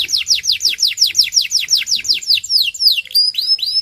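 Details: Belgian canary singing, recording used to train canaries and stimulate their singing: rapid series of high, descending whistled sweeps, about three per second, shifting into rising upturned notes near the end, with faint low hum beneath.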